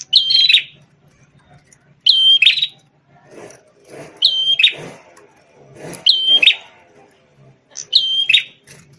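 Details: Lively red-headed prinia known as prenjak tamu, former tutor bird for white-rumped shamas, sings repeated phrases of a sharp high whistle and buzzy burst, five in a row, with soft broad rustling or clattering noises between them.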